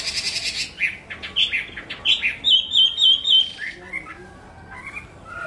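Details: Chinese hwamei singing: rapid chattering notes, then a series of loud, evenly repeated whistled notes about four per second, trailing off into softer slurred whistles.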